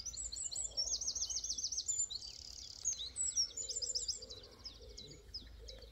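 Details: A Eurasian wren at Pulborough Brooks, West Sussex, pours out a loud, very high, rapid song of sharp notes and rattling trills, with fainter birds calling behind it in the dawn chorus.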